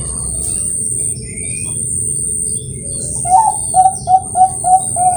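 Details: {'caption': 'After a noisy stretch, a captive Bangkok zebra dove from Kroya, Cilacap, Central Java begins its competition-grade song with six quick mellow coos. A constant high whine and low rumble persist throughout.'}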